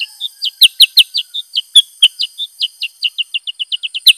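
Black-headed bulbul giving a lively run of sharp, high chirps, about five a second, quickening and tightening toward the end, with a few brief clicks.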